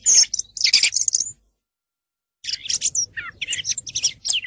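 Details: Singing song thrush: a dense burst of high, scratchy notes, a second of silence, then another run of varied whistles and chirps.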